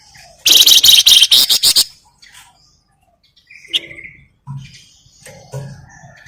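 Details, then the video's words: A flamboyan bird sings vigorously as a lure to make other birds sing: a long, intense run of rapid high buzzy pulses over more than a second, then scattered soft chirps and low background knocks. "Pancingan Burung Flamboyan Gacor"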